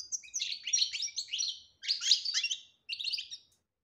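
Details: Goldfinch song in the "batbata" chattering style, meant to get a quiet bird singing. Three bursts of fast, high, jangling twitters are separated by short gaps.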